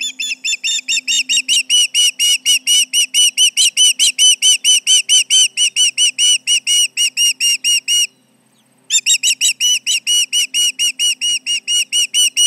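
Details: Intruders near the Charlo nest set off an osprey's alarm, 29 July 2019: long volley of high, shrill whistled notes at about two per second, brief silence near eight seconds, then more urgent chirps; low constant hum.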